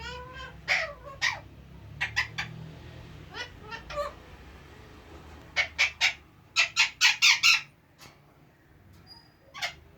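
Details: Pet parrot said to talk and act like a king, giving a series of short, clipped, harsh vocal bursts. Scattered at first, then a quick cluster of loud squawky syllables, over a low background hum.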